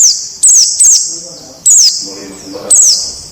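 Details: Wild white-eye, a tutor recording for captive birds, utters a few thin, high descending whistles spaced under a second apart, with a faint low murmur beneath.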